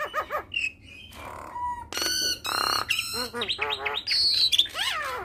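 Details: Javan myna producing a varied full song to prompt other mynas to sing. Nasal squawks and wavering whistles mix with harsh buzzes, ending in piercing high whistles and a downward-curving slur.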